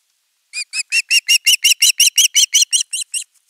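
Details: Nestling osprey calling persistently for fish at its nest: after a short pause, a quick series of about sixteen piercing, slightly arched squeals, building in loudness, then trailing off with two faint notes.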